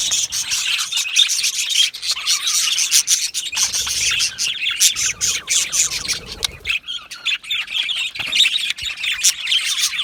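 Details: Flock of Australian budgies in an aviary colony keeps up lively twittering chatter, with sharp high chirps and a few harsher squawks, plus faint low rustling midway.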